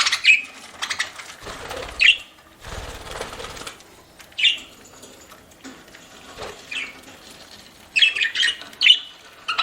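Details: A budgerigar eating, giving single sharp chirps every two seconds or so amid rustling and crunching sounds, then a quick pair of chirps near the end.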